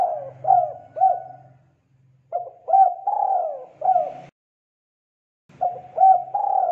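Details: Spotted dove cooing, played to teach young birds to sing. Repeated phrases of quick bouncing coos, each ending in a longer sliding note, over a faint low hum in the background.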